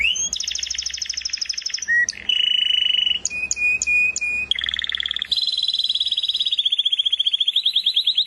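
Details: Canary song packed with varied phrases: a loud high trill, a short low whistle, a buzzy roll, clipped whistled notes, then a long pulsed trill gradually slowing and dropping slightly in pitch.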